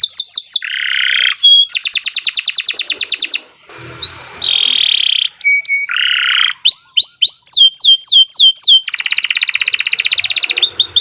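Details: Canary in long 'gacor' singing, offered as tutor and prompting song for young or silent canaries: rapid rattling trills, downward-swept whistles repeated in quick tours, high buzzy phrases, a brief low noisy pause midway.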